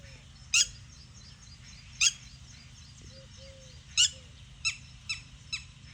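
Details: Red-wattled lapwing calling with three loud, shrill notes roughly two seconds apart, then a quicker run of three softer, sharp notes near the end, over a low background rumble.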